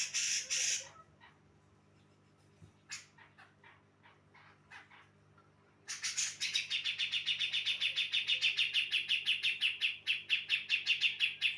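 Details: Singing female Javan brown-cheeked bulbul meant to provoke males: a harsh opening burst, scattered soft clicks during a quiet stretch, then a long, accelerating series of bright, sharp chirps.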